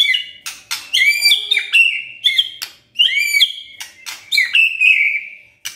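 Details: Morning song of a white-rumped shama intended to prompt a silent shama to answer: clear ringing whistles, some rising, mixed with sharp clicks and short chattering notes in quick phrases.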